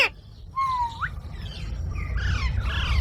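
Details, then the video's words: Parrot gives a clear whistle that falls slightly then rises sharply, followed by softer buzzy squawks, against a rising low rumble of background noise. "Funny Parrot Sound Videos | Parrot Sounds Videos Compilation"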